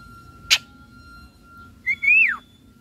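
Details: Caged Javan myna with white eyes, vocal while bathing: a single sharp click, then after a pause a clear whistled note that rises and drops steeply, against a steady faint hum.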